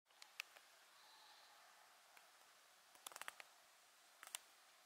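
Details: European robin at ponds in the Drava valley on 8 October 2023, giving sharp, dry tick notes: scattered singles, then a quick burst of about five, with a faint thin whistle in the quiet background.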